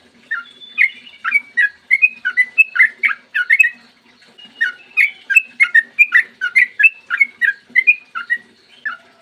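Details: Long ropel morning song of a Sooty-headed bulbul, meant to provoke other bulbuls to sing: quick chattering bursts of liquid whistled notes, with a short pause near four seconds, then more fast phrases, and a soft low hum underneath.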